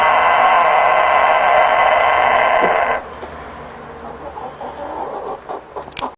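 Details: Never-ending crow of a rooster: a loud, harsh, sustained tone drones on without a pause for about three seconds, then cuts off, leaving quieter background noise and a few soft knocks.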